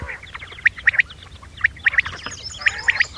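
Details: Common quail call, a recording used as a hunting lure: sharp, short notes in quick groups of three, each group repeated about once a second, over a faint low hum.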